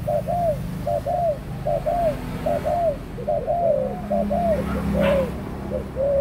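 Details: An adult spotted dove, recorded October 18, 2021, gives soft, hollow paired coos, each gently arched in pitch and repeated about every second, over a low background hum.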